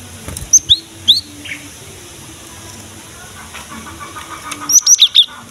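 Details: Cinereous tit in full song, used as a lure to get young or silent birds of its kind singing: sharp high whistled notes paired with lower slurred ones, two bursts about four seconds apart, low background hiss.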